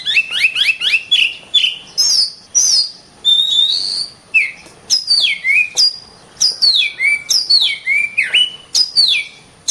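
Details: Oriental magpie-robin singing vigorously, opening with fast rising chips, then a long high whistle and a string of loud downward-sliding whistled notes with varied endings, delivered almost without pause.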